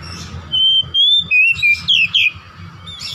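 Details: Oriental magpie-robin song used as a lure to draw out a home-kept bird's repertoire: loud, clear whistled phrases, gliding and slurred between bright notes, delivered in rapid bursts over a steady low hum.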